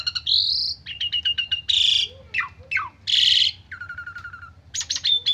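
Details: Asian pied starling giving a rich varied song: a long rising whistle, a quick series of five clipped notes, loud harsh rasps, downward swoops and a repeated lower chatter, ending with a clear whistle.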